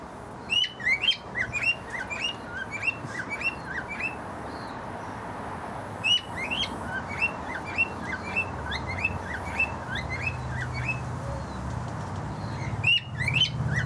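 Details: A male cockatiel sings a busy run of short, sharp chirps and whistles, repeated steadily, to a female turquoisine parrot incubating eggs in a nest box, eggs he thinks are his.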